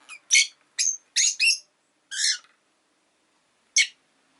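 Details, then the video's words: Rapid run of piercing, grating chirps from a Rosy-faced lovebird, including a longer buzzy note, then a pause and one last sharp call. "Lovebird Chirping Sounds"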